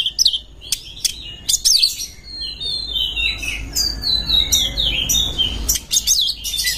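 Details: Song of an Oriental magpie-robin looking for a rival to fight, a dense, continuous run of high chirps, trills and descending whistled slurs with almost no pauses, over faint low background rumble.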